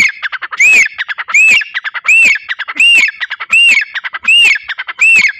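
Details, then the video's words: A grey francolin in Rahim Yar Khan, Punjab, Pakistan, shown alongside a pigeon, calls loudly and harshly: a shrill arched note about every 0.7 seconds, with rapid dry clicking notes between. "gray francolin voice"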